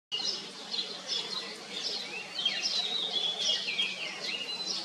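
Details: Common iora feeding its chicks: a steady stream of high, thin chirps and short whistled notes, some slurred downward, runs almost continuously over a soft background hiss.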